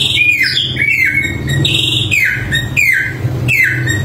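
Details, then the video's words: Samyong bird in energetic song, loud descending whistles and a few higher flat notes in quick succession over a low background hum. "Suara Burung Samyong Gacor Super Mewah"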